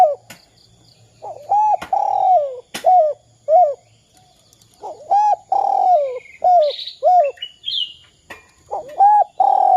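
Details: Repeated 'kuk 2' cooing of a spotted dove, used to spur other doves to call: steady runs of short hollow hoots and long falling coos, with a low hum early on and high chirps from other birds.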